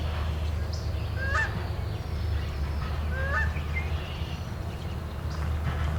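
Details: Two nasal, slightly rising Canada goose honks about two seconds apart, picked up by a sound-identification app, over a steady low rumble of wind or distant traffic.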